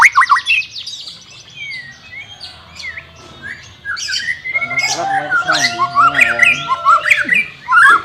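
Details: White-rumped shama song for training a bird reluctant to sing: quick high notes open, then a quieter stretch with a sustained tone, before loud varied whistles and sharp chirps build up.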